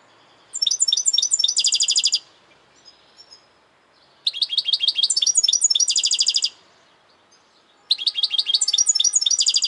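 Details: A European goldfinch repeats three song bursts of about two seconds each. Each burst is quick tinkling twitters running into a rapid buzzy trill, with short silent gaps between.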